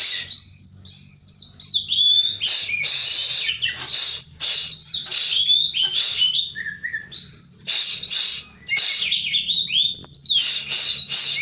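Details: Oriental magpie-robin singing, played to lure a magpie-robin that has gone quiet: dense run of bright whistled phrases, rising and falling sweeps, and rough buzzy bursts with hardly a pause.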